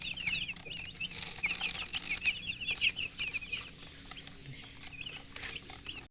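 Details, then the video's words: Baby chicks peeping busily in quick, high, bent chirps, several overlapping and repeated roughly twice a second, loudest in the first half before thinning out, over a low steady hum and light rustling. "Baby "Chicks Chirping" Sound"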